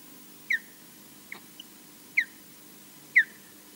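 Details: At the Loch Garten nest in Scotland, a lone osprey defends against an intruder seen only in the distance; three loud, sharp downslurred whistles about a second apart, with a fainter note between them, over low camera hum.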